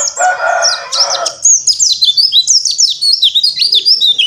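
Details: Oriental white-eye, dakbal type, singing open-beaked on a terrace; a harsh broad burst of another sound opens, then quick high chirps and downslurred whistles run on in rapid, uneven succession.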